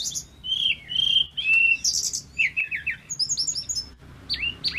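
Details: Energetic song of a male pygmy cupwing: bright whistled notes, slurred downward sweeps and clustered high chirps, delivered in rapid uneven phrases over a quiet low hum.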